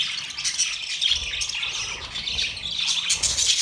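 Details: Chirping budgerigars, said to be happy, pour out a steady, high, scratchy warble mixed with thin squeaks, loudest toward the end of the short passage.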